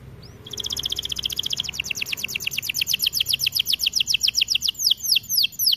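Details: Energetic song from a white AF canary kept in an aviary: a long, very rapid trill of high downward-swept notes building in loudness and continuing steadily for several seconds.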